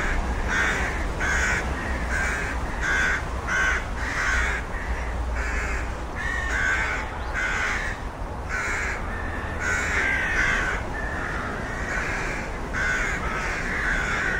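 Rooks give harsh, grating caws in quick succession, about one a second, over a steady low rumble of wind or distant traffic.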